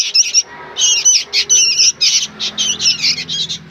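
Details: Noisy young sooty-headed bulbuls give rasping, squawky chatter in quick pulses, nearly continuous, over a faint low hum.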